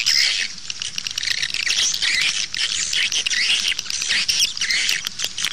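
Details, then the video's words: Playback of swiftlet calls for luring birds to nest houses: a thick chorus of high chirps, with a few clear, thin whistled slurs standing out above the continuous twittering. "เสียงเรียกนกแอ่น 2 (เสียงนอกดึงนก)"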